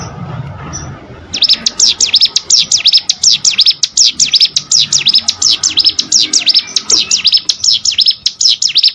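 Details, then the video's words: After a quiet start, a plain prinia bursts into rapid, high-pitched chirping, each note dipping and rising, repeated steadily to the end over a faint low hum. "burung ciblek sawah"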